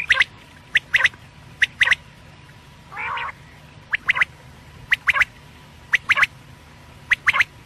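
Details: Quail calling, a call meant for night use, given as sharp doubled clicky notes repeated roughly every second, with one longer nasal, harmonic note in the middle; steady low background hum.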